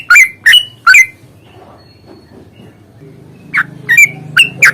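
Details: Yellow-vented bulbul in a fighting mood, used as a lure to prompt singing. Three loud chirps, then a quiet gap with a low droning hum, then four more swooping notes.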